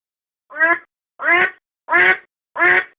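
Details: Domestic duck recorded for decoy use, giving four drawn-out, harsh nasal quacks at evenly spaced intervals of about 0.65 seconds, with no background noise.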